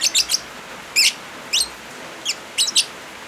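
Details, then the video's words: Lovebird voice layered with rain, used as a master recording for birds that no longer sing: a rapid trio of shrill chirps, then scattered loud squeaks and a closing double, with rain hissing underneath. "Suara Original Lovebirds kombinasi suara hujan"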